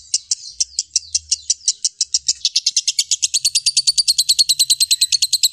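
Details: Lovebird song for training songbirds: well-spaced shrill chips that speed up after about two seconds into a dense, rapid chatter, which continues loud to the end.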